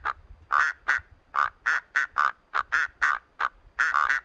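Great bustard giving a rapid series of short, harsh, nasal croaks, about three per second with uneven spacing; no other sounds stand out.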